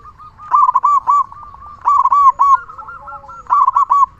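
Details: Loud, frequently singing local zebra dove, used as a lure to get other zebra doves singing. Three bursts of rapid, staccato, rolling coos, roughly every one and a half seconds, with softer continuous cooing between them.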